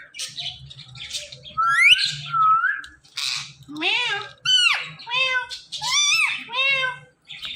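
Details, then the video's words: Talking Indian ringneck parakeet, a household pet, producing a string of swooping, voice-like syllables and bent whistles with harsh edges, pausing briefly between phrases. "IRN Talking Parrot"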